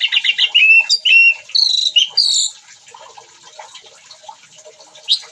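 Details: Orange-headed thrush singing vigorously at its bathing place: a rapid run of clear, varied whistled phrases, some rising and some falling, packed into the first two and a half seconds, then quieter chirps over a faint insect-like background hiss.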